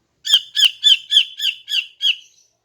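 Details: In the morning, a female greater green leafbird sings to lure males. Seven loud, rasping notes, each slightly descending, are repeated evenly at about three per second in a clean, quiet setting.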